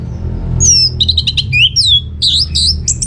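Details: Varied song of an orange-headed thrush as a lure for other birds: sweeping downslurred whistles, quick stuttered notes and high buzzy phrases, with little pause between them.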